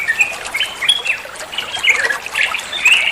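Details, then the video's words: Olive-winged bulbul training song: a few loud, rich whistled notes and brief warbles, spaced unevenly roughly once a second, standing out over soft background hiss. "Masteran trucuan muantaaap, (burung trucuan anda pasti nyaut)"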